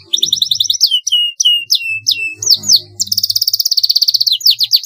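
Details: Long rolling canary song used as a training master, with downward-sweeping whistled notes repeated about once a second, then a dense fast trill and rapid rolling notes; a faint low hum underneath.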